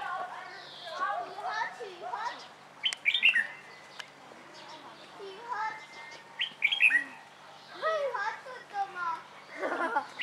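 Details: Sickle-billed vangas (Falculea palliata) at Vogelpark Walsrode, Germany, give nasal, wailing calls almost like crying children, overlapping bursts broken by sharp higher squeals every few seconds.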